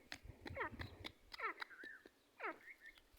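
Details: Partridge pair calling, short downward-sweeping whistled notes in quick pairs, some with a steady upper tone, over a low hum and faint background noise.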